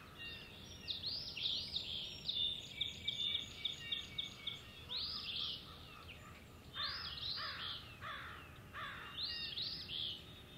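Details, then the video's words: Male osprey at Hog Island on 17 April 2016 looking for his mate. Long bouts of high, arched whistled notes repeat rapidly. Later come short grouped bursts of rougher, broadband calls. Background noise is constant. "Steve is looking for his Rachel. Hog Island Ospreys."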